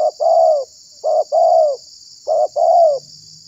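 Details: Spotted dove (tekukur) call played as a lure to attract wild doves and provoke rivals: three low two-part coos, a short note then a longer mellow one, about every 1.2 seconds, over a steady high hiss.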